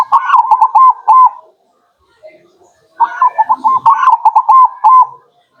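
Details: Zebra dove, local type, singing to attract birds: two bursts of rapid, clipped whistled coos at steady pitch, the second burst longer with about ten notes, separated by a quiet gap.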